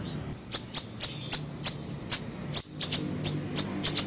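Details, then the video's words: Small siri-siri bird used as a lure and training recording: sharp high chirps repeated about three times a second, each a brief descending note, with a faint low hum beneath. "PANCINGAN PIKAT SUARA BURUNG SIRI SIRI KECIL"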